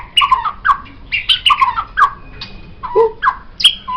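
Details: White-rumped shama song used as a master for songbird training: varied lower whistled notes and squawky chips in quick succession, one steady thin tone held briefly, one deep downward note.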